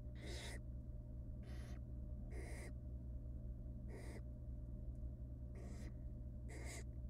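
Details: Begging from wild barn owl nestlings being fed rabbit by their mother inside a nest box: six snoring, hissing screeches roughly every second, rough and broadband, with a constant low hum behind.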